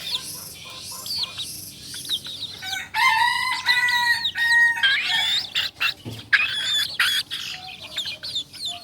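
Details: Kukuak Balenggek, a singing chicken breed native to Solok, crowing at dawn in a multi-stepped harmonic crow of about two seconds, with busy chirping and whistling of small birds before and after.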